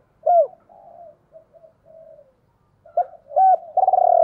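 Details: Decoy spotted dove in 'gáy gọi hai hậu' calling style. A loud arched hoot is followed by soft low murmurs, then clipped paired hoots build into a long, strongly throbbing coo.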